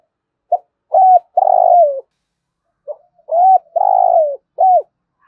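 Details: Two 'thúc gù' coo phrases from a spotted dove, each opening with a quick soft note, then a level coo, a drawn-out burry note sagging in pitch, and a closing downcurved coo.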